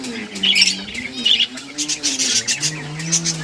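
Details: Breeding budgerigars playing and chirping, giving scratchy high squawks and short twittered notes in irregular bursts, with a low wavering tonal hum running beneath the chatter throughout.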